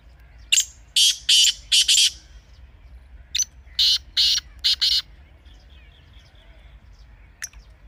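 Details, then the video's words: Partridge (teetar) call, used for training kept black or desi partridges to call: harsh, grating broadband bursts in a rapid run of four, a pause, then another quicker group of four, ending with one thin high note. "Teetar Ki Awaz Ko Mazboot Karne Ka Tarika | Teetar Ki Masti . تیتر کی آواز کو مضبوط کرنے کا طریقہ"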